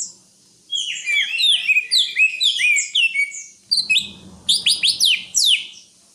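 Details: Greater green leafbird delivering a rapid, varied song of chattering chirps and downward-swept whistles in two bursts separated by a brief pause, with faint low background rumble.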